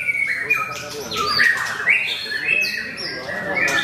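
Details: During a singing contest at Mahendra Arena a white-rumped shama delivers short, clear whistles and sweeping slurred notes, accompanied by other birds and low talk from the crowd.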